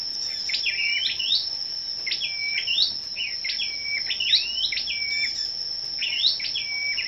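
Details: Morning song duel of scarlet-backed flowerpeckers, recorded 10 May: a high, thin phrase of sharp downslurs and flat whistled notes repeated about every two seconds, three times, over a continuous high-pitched hum.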